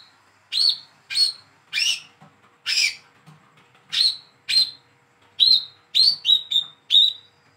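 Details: Hand-raised young olive-backed sunbird calling, meant to lure a silent sunbird into singing: a run of about eleven sharp, high chirps, early ones broader and scratchier, later ones thinner whistled notes coming faster in the final seconds.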